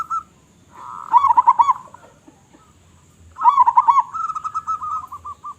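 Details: Local zebra dove singing with a loud voice. Two phrases each swell from a soft hum into a rapid, loud, stuttering sequence of low notes. The second phrase trails off into a line of fading coos.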